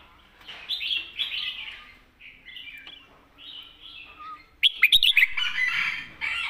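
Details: Competition red-whiskered bulbul in its thick-voiced master song, giving a run of rich, slurred whistled phrases, then a loud burst of quick sharp staccato notes followed by fuller warbling.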